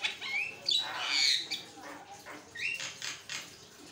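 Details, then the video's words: Javan myna singing nonstop, used as a master recording to train and prompt other mynas to sing: short slurred whistles mixed with rough, noisy bursts and buzzy chatter, uneven in loudness, with a quiet background. "jalak kebo ngoceh tanpa henti, buat masteran dan pancing bunyi"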